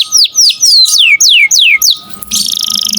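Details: Canary singing briskly, used to tutor other songbirds: a series of loud downward-sweeping whistles roughly every quarter second, ending in a soft high buzzy trill.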